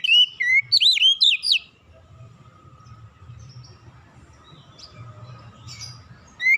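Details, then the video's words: Relaxed Oriental magpie-robin song meant to lure other birds into singing; an opening run of bright, looping whistles, then near quiet with a low hum, and one last rising whistle at the end. "kicauan nyantai pancingan ampuh Kacer bahan cepat gacor"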